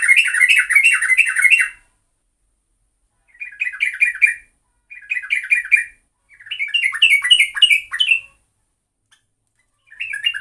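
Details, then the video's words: Yellow-vented bulbul (trucuk) in a lure recording gives bursts of bubbly, chattering warbled phrases lasting one to two seconds, separated by pauses of silence, with a faint high hiss above each burst. "Pancingan burung trucuk"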